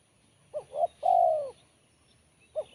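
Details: Spotted dove with a sharp, crisp voice: two short rising coos followed by one long, loud, slowly falling coo, then the next phrase begins. A faint low hum lies underneath.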